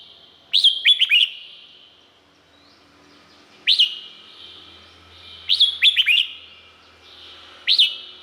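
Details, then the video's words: Red-whiskered bulbul song recorded in Thailand: four bursts, some a rapid run of three or four sweet warbled notes, others a single upslurred whistle, spaced roughly two seconds apart. "เสียงนกกรงหัวจุก สำหรับต่อ หรือ เปิดให้นกคึก เสียงเพราะๆ"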